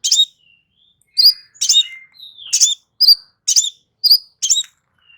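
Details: Crimson sunbird song for reviving a bird that stopped singing: crisp, very high chip notes repeated about twice a second, irregularly spaced, with a brief downward-sliding whistle midway and short thin tones between.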